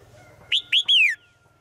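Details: Female bird calling to attract a male in the forest: three bright whistled notes, the first two short and rising, the last longer and sliding downward, with a faint steady tone behind.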